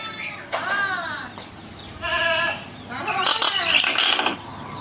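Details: Common hill myna talking with people who ask its name. Three bursts of voice-like, harmonic utterances, then a rough burst of laugh-like notes. A person's voice is heard around the calls.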